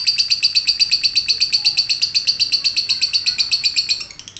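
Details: Lovebird ngekek: a rapid, even stream of high, ringing chattered notes, about four per second, holding steady for four seconds before fading.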